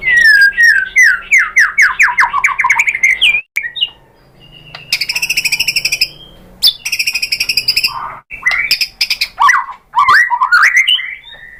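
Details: White-rumped shama lure song meant to provoke other shamas into answering and singing: rapid rising and falling whistled notes, then bursts of buzzy repeated chatter and stacked metallic notes, ending in sweeping whistles.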